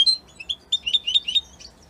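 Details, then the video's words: European goldfinch, associated with Italy, giving short bursts of high, liquid twittering notes. Chirps spaced roughly a quarter-second apart, against a faint low background hum. "من أقوى تغاريد طائر الحسون الجميلة الحسون ايطاليا"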